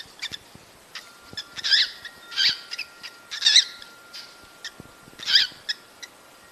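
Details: Breeding-stimulation calls of cockatiels: several rough, harmonic squawks spaced roughly one per second, with faint clicks and ticks between them.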